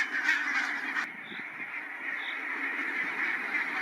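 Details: Large flock of barnacle geese on stopover in the Matsalu meadows, Estonia, producing a dense wall of high yapping calls, loudest at the start, with a couple of brief thin chirps from another bird above the chorus.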